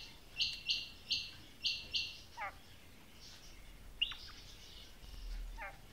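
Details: Female quail utters five harsh, buzzy high notes in quick succession, followed by a pause, a sharp falling chirp and a fainter buzzy phrase against quiet background noise.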